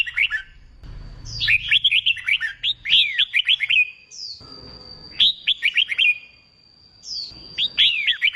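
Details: Song of a newly caught red-whiskered bulbul, used for contest training: rapid runs of clear, slurred whistles, with a thin steady high tone held between phrases.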